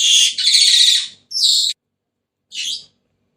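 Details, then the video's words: Senegal parrot kept as a pet bird, producing a long grating screech, then a shorter harsh squawk and, after a pause, a final brief rasping note. "تغريد ببغاء السنيغالي the sound of the parrot senegal"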